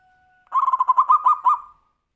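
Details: Zebra dove (kutut) singing the Tumpang Sari song style, used as a lure to prompt other birds to sing: one phrase of about eight quick, rhythmic cooing notes lasting just over a second, preceded by a faint steady tone.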